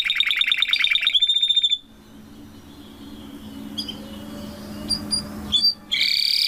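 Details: Canary parents with their chick: a dense buzzy trilled burst for a second, a thin whistled note, a quiet gap with low hum, then brief high chips and another loud rapid trill at the end.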